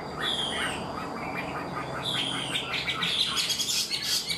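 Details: Chinese hwamei, newly caught but quick to sing, performing full song like a tame bird: long descending whistles, then a dense burst of quick, sharp, varied notes.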